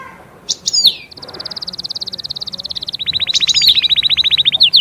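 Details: European goldfinch song. After a few sharp high chirps come two long, fast trills of evenly repeated notes. The second trill is lower and grows louder toward the end. Faint background hiss is audible.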